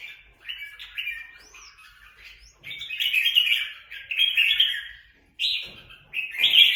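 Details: Red-whiskered bulbuls, kept but let fly free, clashing in a fight in Quang Nam, Vietnam; scratchy chattered phrases and brief upslurred whistles arrive in bursts separated by short pauses.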